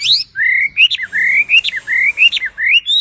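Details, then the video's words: Tame wambi bird singing vigorously: drawn-out, slightly rising whistles, each ending in a sharp upward flick, repeated about five times. "BURUNG WAMBI GACOR JINAK TOTAL"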